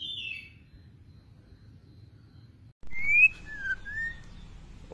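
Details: Murai batu, the white-rumped shama, in lure song: a short high whistle, a long quiet gap, then a sharp rising whistle followed by a lower falling one, over low hum.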